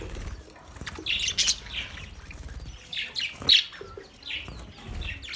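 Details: Budgerigar giving scattered chirps, short bright warbled notes and squeaks spaced one to two seconds apart over a quiet background with low rumbling.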